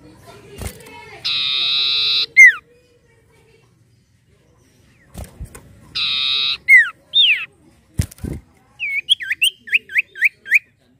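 Common Iora: harsh buzzy bursts, sharp falling whistles, then a quick run of short looping whistled notes. A few dull knocks are heard between phrases.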